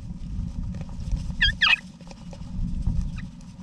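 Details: Wild eastern rosella parents with their babies in a backyard nesting box in Australia, November 2018, giving two quick bursts of shrill, chattering notes, then one faint note, over a steady low rumble.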